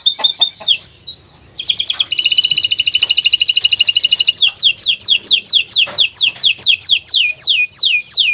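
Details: Singing Atlantic canary from a master recording: short notes, a long dense rattling trill, then steady repeated downslurred whistles roughly twice a second.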